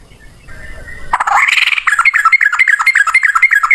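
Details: Yellow-vented bulbul gacor with a long ropel song, as loud as a cucak rowo: a noisy rush is followed by rapid, regular whistled notes repeated almost four times a second.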